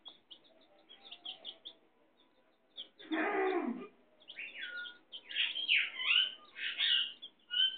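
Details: Hen with her chicks: high, thin peeping notes from the chicks, a short lower hen call near the middle, then bursts of louder rising and falling peeps.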